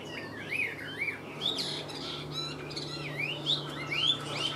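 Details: Chinese hwamei, a well-singing kept bird, pours out varied looping whistles, rising and falling phrases with buzzy accents, continuous for several seconds above a low constant hum.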